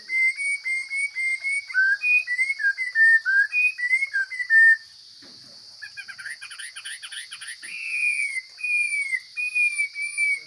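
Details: Wild Chinese hwamei singing powerful whistled phrases that rise and fall in quick succession. After a short break, scratchy twittering leads into long, clear slurred whistles. A steady high-pitched drone is audible throughout.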